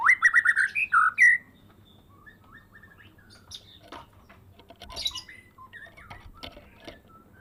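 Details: Loud rapid string of about eight ringing, whistled notes from a captive Medan white-rumped shama raised from a juvenile, followed by softer, scattered clicks, chips and thin whistles as the varied gacor-style phrasing continues.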